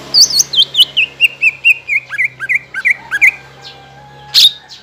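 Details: Greater green leafbird lure song for untrained and group-housed leafbirds: a steady string of about fifteen looping, whistled notes gradually dropping in pitch, followed by one loud sharp chirp.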